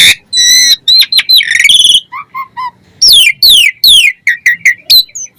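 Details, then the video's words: Asian pied starling in full, lively song: loud bursts of harsh, buzzy and whistled notes with steep downslurs, a short pause holding soft low whistles, then renewed rapid harsh phrases. "Jalak Suren Gacor Full Isian"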